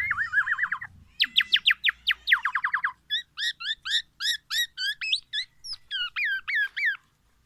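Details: Black-naped oriole, a kept tutor bird singing a song packed with oriental magpie-robin imitations, meant to challenge other orioles; rapid downslurred trills, then crisp repeated rising and falling notes at a steady pace.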